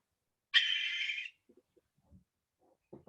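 A Barn Owl gives one harsh, hissing screech lasting under a second, broad and rasping. A few faint low knocks and murmurs follow.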